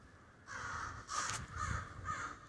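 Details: A Denver crow roost in the snow: three or four grating caws come in quick succession, each drawn out and rough.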